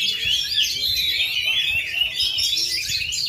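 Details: Full-power song from a ringed, caged Oriental magpie-robin in Central Java, Indonesia, which has gone two and a half years without moulting: an unbroken stream of shrill, sweeping, scratchy whistles, with faint low rumble beneath.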